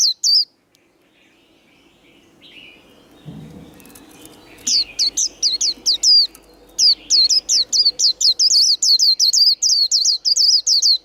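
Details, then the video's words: White-eye (vành khuyên) in contest singing, the fast líu style: after a few quiet seconds with a faint rustle, rapid repeated high whistled notes, each a sharp down-up flick, about two per second. "Vành khuyên líu đấu | Kích lửa vành khuyên líu đấu, SIÊU HAY. Khuyên líu kích bổi | khuyên líu"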